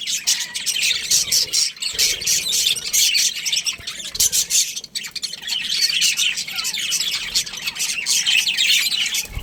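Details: Colourful budgerigars in a colony, a dense, continuous chatter of high chirps, squawks and warbles from many birds overlapping, with no clear pauses.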